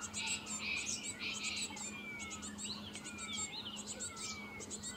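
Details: Cinereous tit (Parus cinereus) feeding its young in Himachal Pradesh: dense, rapid high-pitched chittering and squeaky notes with a few thin falling whistles, over a steady low electrical hum.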